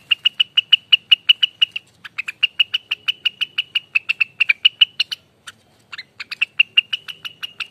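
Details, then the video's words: Rengganis singing in ropelan style, used as a lure and tutor sound for other birds: long runs of rapid, evenly spaced sharp chirps, about five per second, with brief pauses around two and five and a half seconds. "ROPELAN ribut loss burung Rengganis"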